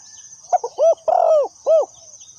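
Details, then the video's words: Spotted dove used as a decoy for trapping gives a rhythmic phrase of short clipped notes and rounded hoarse coos, ending with a final coo. A high insect whine persists behind. "Suara Terkukur Pikat Tua"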